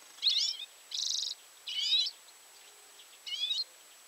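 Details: A common redpoll recorded at 51.880529, 20.115335 gives four high, buzzy, rattling chatter bursts at uneven intervals over about four seconds against a faint background hiss.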